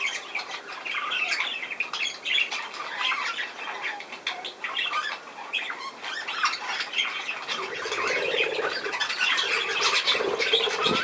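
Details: Budgerigars chattering steadily for eleven seconds, quick clicks, squeaks and scratchy warbles tumbling over one another, with a lower hum entering in the last few seconds.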